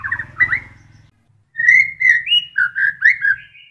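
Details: Murai batu, or white-rumped shama, singing Kapas Tembak fill: mellow slurred whistles, a brief silence, then a string of rich fluting notes that step up and down, with a faint low hum behind.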